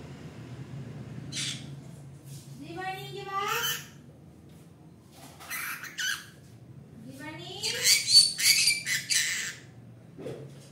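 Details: Pet green-cheeked conure, kept for 30 days and untrained, calling the owner's daughter by name with 'akka' and 'akka vaa' (come): harsh, buzzy speech-like phrases in bursts with rising harmonic sweeps, indoors.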